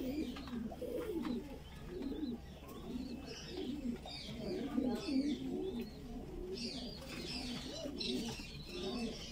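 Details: Young Voorburg Shield Cropper pigeon being fed, a Dutch fancy breed: busy, wavering low murmurs mixed with scratchy high chirps and squeaks, steady throughout.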